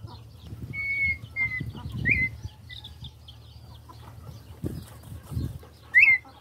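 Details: Red-winged tinamou at the start of a new season: clear whistled notes, several short level ones and two sharp rising-then-falling whistles spaced irregularly, over low thumps and rustling sounds.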